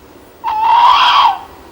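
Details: A tawny owl gives one harsh, screechy note lasting almost a second, rising slightly and then falling away, over a quiet background. This is the time of year when they are really going for it, and the female gives the "kewick" call.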